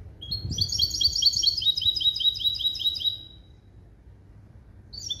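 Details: Caged hybrid of a male goldfinch and a female canary, trained in limpio goldfinch-style song: a rapid run of bright, high twittering notes repeated in a fast trill for about three seconds, then a pause and a new phrase starting.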